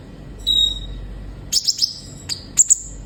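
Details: Sunbird (kolibri ninja) song, used to stimulate captive birds to sing: a single thin high whistle, then a pause and scattered sharp high chips in small bursts.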